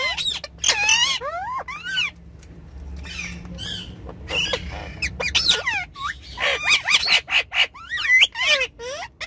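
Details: Several ringneck parrots on a car back seat trade sharp, swooping squawks and squeaks, with a quieter stretch midway and a steady low rumble underneath.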